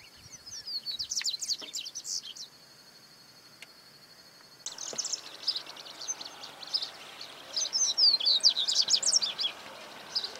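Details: Double-collared seedeater, Sporophila caerulescens, recorded in 2018, sings bursts of rapid, high, twittering notes and short trills, broken by a pause with a steady high hum, then resuming as a fast chattering phrase.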